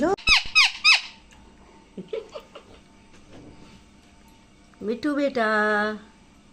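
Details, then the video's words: Talking parrot indoors giving rapid squeaky mimicked syllables at the start, then quieter chatter and a long drawn-out nasal harmonic call near the end; human speech and laughter faintly present. "bolne wala tota"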